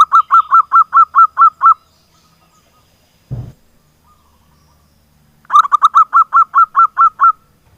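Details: Lure recording of a local zebra dove singing to set silent doves singing: a fast run of about eight ringing coos, a long gap with a single low thump, then another matching run.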